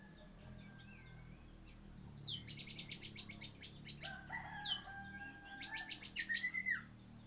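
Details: White-rumped shama singing a song filled with kapas tembak imitations: clear whistled notes, a run of rapid buzzy repeated notes, then a fast trill series near the end, over a steady low hum.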